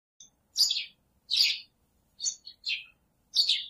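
Oriental magpie-robin giving varied, sweet whistled phrases, about five bright notes in under four seconds, some rising, some falling, over a quiet background.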